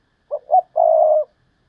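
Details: A decoy spotted dove gives its Thúc Lợi Cốt call: a quick low coo, a second slightly higher one, then a sustained steady purring note lasting about half a second. The background is clean and quiet.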